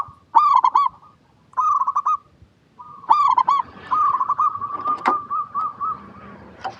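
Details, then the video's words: Lure song of a local zebra dove, meant to draw replies from other zebra doves. It gives three quick stuttering coo phrases with short gaps, then a longer run of softer rolling coos and a sharp click. "PERKUTUT LOKAL GACOR PALING DISUKAI 🐦 Suara Asli Bikin Semua Perkutut Dimanapun Pasti Nyaut"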